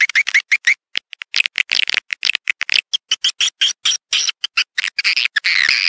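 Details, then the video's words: Swiftlet calls used to lure swiftlets into a bird house, a rapid series of short harsh squawking chirps in uneven bursts that rise into a denser twitter near the end. "ÂM THANH GỌI CHIM YẾN ĐẶC BIỆT VÀ TĂNG ĐÀN NHANH"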